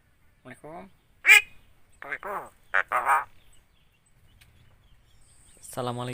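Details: Starling that mimics a spoken greeting and coughs like a person, giving a string of raspy, nasal, speech-like syllables in uneven bursts, one sharp high note, then a final throaty utterance.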